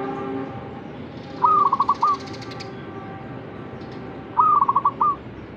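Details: Zebra dove answering a master recording: two quick rolling coo phrases about three seconds apart against a rough, noisy background.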